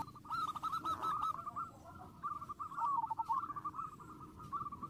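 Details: Zebra dove singing to provoke rivals, repeated rolling coos at one mid pitch, some runs slurring downward, set against steady background noise.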